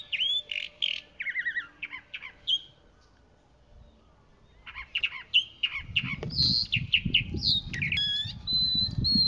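Chalk-browed Mockingbird singing a varied run of harsh squawks, chattering notes and clear whistles in quick bursts, with a pause midway and some low rumbling noise later.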